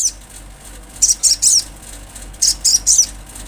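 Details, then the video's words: Olive-backed sunbird, said to be from nature and used to stir breeding mood in kept birds: two bursts of three high, thin, buzzy chirps around one second apart, over a steady low hum. "Sogon gacor suara Asli Alam,sangat cocok untuk mendongkrak birahi sogon"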